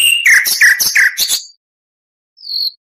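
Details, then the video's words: Oriental magpie-robin song used as tutoring material for other birds: a quick series of five descending, slurred whistled notes, then silence and one thin high whistle. "MASTERAN KACER .MATERI FULL ..awas nanti burung anda ikut gacor.!!"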